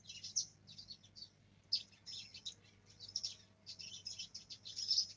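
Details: Black-throated canary, a young bird learning its rolled song, delivering dense high twittering phrases separated by brief pauses, with low electrical hum behind.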